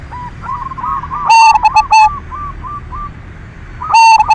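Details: Silver-variety zebra dove in full song, a lure to excite other doves; a loud clipped cooing phrase, then a run of soft repeated rolling coos, and another loud phrase starting at the end.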